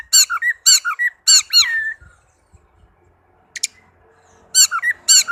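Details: Tame orange-headed thrush giving loud, rich, harsh squeaky notes in quick clusters, with one abrupt high note after a pause, then another fast burst.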